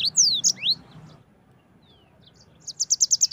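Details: Yellow-fronted canary (Crithagra mozambica), song.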